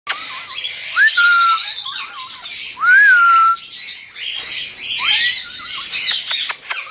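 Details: King parrot whistling: clear rising then level whistled notes in three main phrases about two seconds apart, with softer wavering notes between them and a few sharp clicks near the end.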